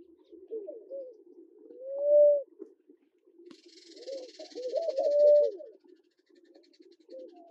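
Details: In Kenya a Namaqua dove gives mellow, low swelling hoots, each rising and then fading, two long calls about three seconds apart, while a high buzzy hiss sounds for two seconds in the middle.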